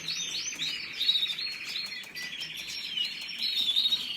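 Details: Canary warbling in fast, looping chirps and clear whistled notes over a steady rolling trill, high and continuous.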